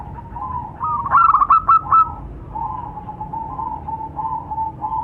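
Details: Zebra doves of the local type, male and female, responding to each other: one loud rattling burst of clipped coos, then a steady string of gentle repeated notes continuing to the end.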